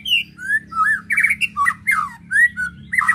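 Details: Ketrekan song of a white-rumped shama, used to arouse emotion: a steady string of clear whistled slurs, some rising and some falling, broken by short rattling flourishes, with a low hum underneath.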